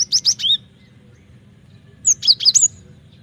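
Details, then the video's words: Cinereous tit, recorded as a training lure, gives two fast bursts of shrill whistles, three notes and then four to five notes, about one and a half seconds apart, over a faint low hum. "Pancingan suara burung gelatik batu gacor ampuh masteran suara burung gelatik batu gacor"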